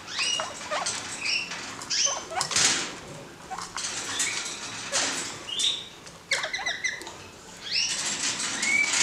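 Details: A pair of pet kakariki, playing and doing acrobatics in a cleared-out cage, give short, scratchy chirps and chattering notes at irregular intervals, mixed with rustling, fluttering and scraping sounds.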